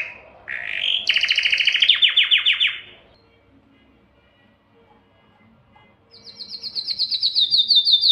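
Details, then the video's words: Canary song for mating: a rising note into a loud fast rattling trill, several seconds of near silence with faint background sounds, then a high rapid trill building in loudness. "اقوى تغريد كناري للتزاوج"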